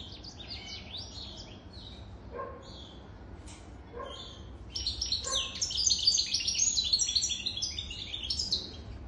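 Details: Adult European goldfinch, over three years old, gives a few sparse high notes and soft chips, then breaks into a fast, dense, jangling twittering song for the last four seconds.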